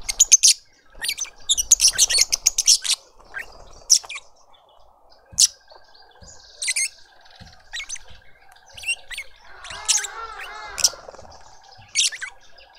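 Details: At a suburban garden feeder in Pretoria, South Africa, a lovebird family feeds a juvenile. Dense rapid runs of shrill, screechy chirps in the first three seconds are followed by separate sharp squeaks. A brief warbling phrase from another bird comes near ten seconds.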